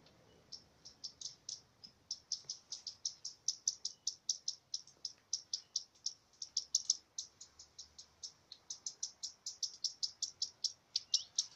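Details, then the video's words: Redstart sounding an alarm, recorded by chance: a long, loud, fast series of sharp high clicks, nearly continuous, with brief gaps and quickening bursts, against a quiet background. "Горихвостка обыкновенная. Лысушка. Сигнал тревоги"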